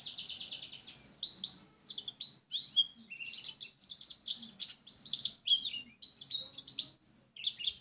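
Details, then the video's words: Softer, varied warbling from a Lumajang white-eye: rising and falling high chirps, trills and short buzzy notes mixed in a rambling, uneven sequence. "Burung pleci lumajang"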